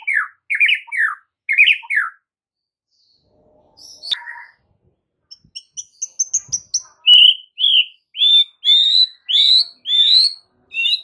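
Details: White-rumped shama tutor song meant to get other shamas to respond. Varied phrases of clear, slurred whistles, some falling and some rising, come in repeated groups. A thin, high series follows, then a steady run of loud, bright notes about once a second.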